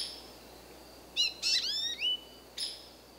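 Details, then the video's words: American goldfinch calling: a few bright, high notes, then a quick burst of three or four sweet, rising and falling twittered notes around one and a half to two seconds, a short pause, and one more thin chip near the end over quiet background. "Cri du Chardonneret jaune/American Goldfinch Call"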